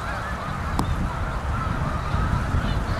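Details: Canada geese gathered at a reservoir in Utica, New York, in November; dense honking from many birds, one sharp loud note early on, over a heavy low background rumble.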